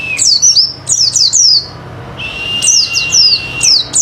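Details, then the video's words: Pleci (oriental white-eye) singing to provoke other birds: groups of three or four high, sliding downslurred notes, a pause, then a level thin whistle overlaid by further falling chirps. "Cocok Buat Pancingan Burung Pleci Auto Ngalas Bongkar Materi"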